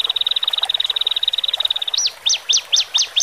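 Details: Male and female Horsfield's bush larks singing, used to help birds newly separated from a flock settle into a cage: a rapid, even trill of high buzzy notes for two seconds, then five sharp, slurred, down-up whistles.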